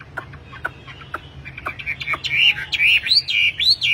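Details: Tame, actively singing wambi used for tutoring and luring caged birds: a few scattered dry clicks, then a run of loud, looping whistled notes that rise and fall in quick succession.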